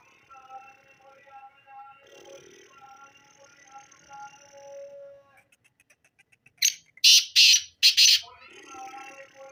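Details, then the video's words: Black francolin: after several seconds of varied whistling birds and a brief ticking run, a loud harsh call of four grating notes rings out, then the background birdsong resumes. "کالا تیتر کی مکس آوازیں"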